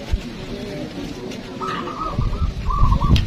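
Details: Zebra doves (perkutut) at a local song competition give two quick rippling coo phrases in the second half, after a stretch of crowd chatter and handling knocks.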